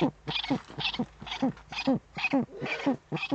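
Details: Eurasian eagle-owls on a webcam in the Eifel region of Germany, February 2015, evening, during a male's prey-gift delivery to the female; quick run of harsh, clipped hoots repeated about twice a second.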